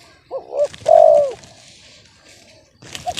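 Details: Spotted dove with a reportedly off-key, discordant voice: a quick two-part hiccup followed by one loud, long, slightly falling coo, then quiet with a brief knock and a faint final note.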